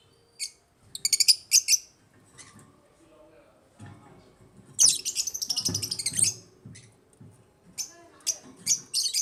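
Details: African lovebirds kept as pets in an aviary, chirping in quick bursts of shrill, high buzzy chips, some runs rapid and rattling, with a faint low murmur beneath.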